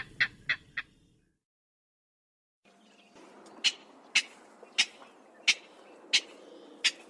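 King Rail: three quick harsh notes, a pause, then a slow series of loud, rasping grunts spaced about two-thirds of a second apart over faint marsh hiss.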